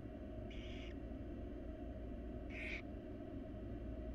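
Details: Barn owl chicks begging as their mother feeds them in a wild nest box: two brief rasping hisses about two seconds apart, against an even low-pitched hum.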